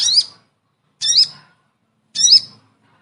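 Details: Sogon calls for luring birds that are reluctant to descend: three separate harsh, squawky notes with a bent, nasal quality, each about a second apart, with faint low rumbling underneath.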